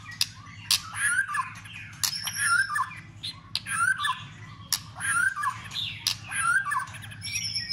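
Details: White-rumped shama in fighting mood, flicking its tail to stir up other birds: sharp dry clicks break up harsh squawks and short slurred whistles, with a steady low hum behind.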